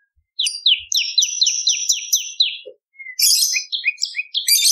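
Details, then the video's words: Bar-winged prinia singing as a lure and a tutor for songbirds: a quick series of clipped, downslurred high notes, a brief pause, then scratchy buzzy phrases mixed with short chirps. "Prenjak Lumut Gacor ! Variasi Suara For Murai C Ijo Cungko / Pancingan Prenjak Gacor /Suara Pikat"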